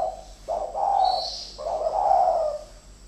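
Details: Two fighting decoy spotted doves: a brief stuttered coo runs straight into a long, full, throaty coo, with a faint high chirp above.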